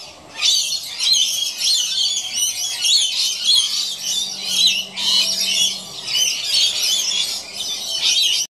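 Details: A pair of rainbow lorikeets at play on an old piece of rope up in a gum tree, with dense, grating screeches and chatter in long bursts, briefly pausing near the middle.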